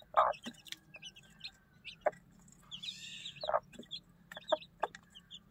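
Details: Mother hen clucking beside her one-day-old chicks at feeding time, with short, deep, abrupt clucks every second or so and fainter high chick peeps and cheeps in between.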